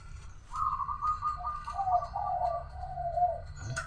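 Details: Captive dove kept as a lure cooing in answer to wild doves behind a house in Thailand; a low, smooth coo followed by a string of soft descending notes over about three seconds, with faint background hum.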